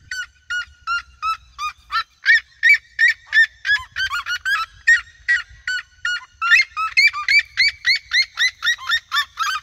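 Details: A flock of red-legged seriemas sings in open fields around a passing person. Strident, harmonic yelps come in a fast steady series, about three per second, with overlapping voices swelling in chorus and a quiet background.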